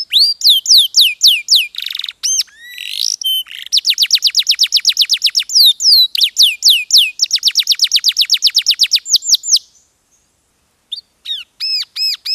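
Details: Song of a domestic posture canary: quick varied phrases with a buzzy burst, then a long, fast, even trill of high notes, a brief silence, and a few clipped upturned notes.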